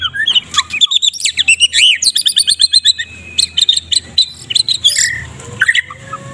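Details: White-rumped shama from Medan with dense kretekan song used as morning masteran for other birds; fast varied chips, buzzy rattles and scattered whistled notes in a continuous tumbling stream.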